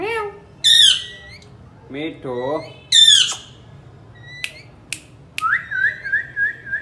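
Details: Pet parrot vocalizing indoors with voice-like squawks, a wavering speech-like phrase in the middle, sharp clicks, and a closing series of quick repeated rising chirps.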